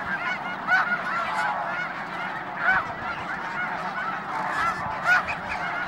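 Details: Massed Snow Geese calling at the Hayton reserve, part of Washington's Skagit Wildlife Area: a constant wall of overlapping honks and yelps, punctuated by sharper, louder calls at intervals of a couple of seconds.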